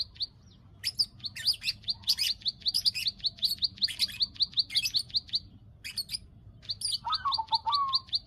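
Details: Bar-winged prinia breeding-condition lure: after a quiet start, crisp high clicks repeat rapidly for several seconds, pause briefly, then return alongside a lower warbled note from another bird.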